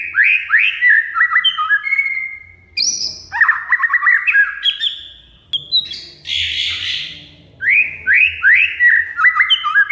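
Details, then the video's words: Caged oriental magpie-robin song used to coax a mute bird into singing, with sharp chatter and rich varied phrases: quick ladders of whistled notes, a harsh buzzy burst mid-way, then fast repeated descending chirps. "Kacer Mogok Bunyi Tiba-tiba Gacor Isian Mewah Setelah Trik Rahasia Ini!"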